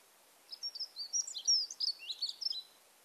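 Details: A dunnock's thin, scratchy warble of about two seconds, not forceful, wobbling up and down within a narrow high pitch band with long pauses, over faint hiss; heard in the spring dawn chorus.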